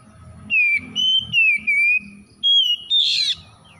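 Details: Oriental magpie-robin, an untrained raw bird, singing readily and persistently in Indonesian gacor style. Six clear whistled notes, some gliding downward, in evenly spaced phrases, ending with a harsher rasping burst over a faint low clatter.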